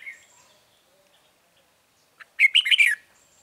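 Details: Red-whiskered bulbul during a wild-bird trapping session with a lure bird, 9 March 2020: faint calls, then one sharp, fast jumble of bubbling whistled notes lasting under a second.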